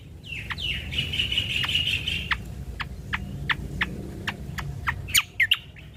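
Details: Natural recording of a ruby-throated bulbul, meant as a lure and tutor: a long steady whistle, then a string of sharp clicking chips about every half second, closing with brief squeaky notes.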